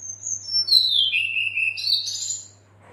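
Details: Female red-billed leiothrix calling the male, a lure to prompt singing: a high thin whistle gliding down into a grating, buzzy chatter, ending with a louder rough upward burst, then silence and a faint hum.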